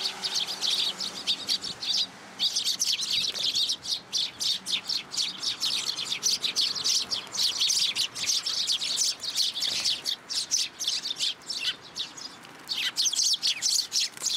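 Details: Fledgling sparrow begging for food in a plum tree at a Tenmangu shrine on 15 June 2022, giving a dense, almost continuous stream of sharp high chirps with only brief breaks.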